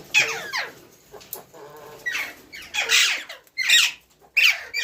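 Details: ['Ringneck parrot squawking loudly and harshly, repeated rough screeches in uneven succession about once a second, in a small room.']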